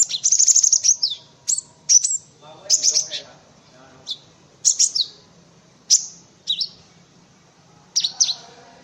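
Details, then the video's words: Scattered single high, sharp notes from a cinereous tit, spaced irregularly every half second to a second, after an opening trill; used as tutoring audio for white-eyes and other birds. "Suara Burung Gelatik Batu untuk masteran"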